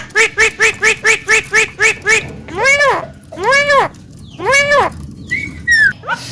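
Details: Javan myna, a recording meant as a training master for other birds: eight short, nasal harmonic notes in a steady row, then three loud, arched squawks, and a brief thin whistle at the end.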